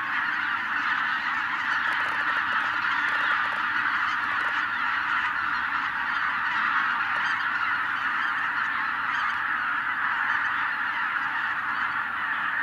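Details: Massed honking of tens of thousands of wild geese flushed by a white-tailed eagle, a sustained dense chorus with no gaps, individual calls lost in the overall din.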